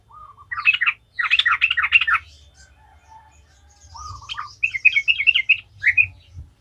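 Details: Yellow-vented bulbul (trucukan) singing a lively ngalas-style song, used as a lure to spur other bulbuls to sing: bursts of bubbly, chattering notes around the mid-high range, a pause, then a brighter warbled run, over a faint low hum.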